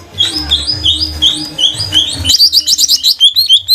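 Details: Caged lesser green leafbird, a Banyuwangi trotol bird, singing to prompt other birds: evenly spaced short whistled phrases, then a quicker string of high chirping notes, over a low steady hum.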